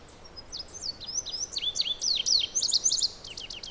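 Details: Indigo bunting in full song: a rapid series of high, sharp slurred notes, several paired or doubled, sliding down and then up, loudest in the middle and ending in quick upward strokes; low background hiss throughout.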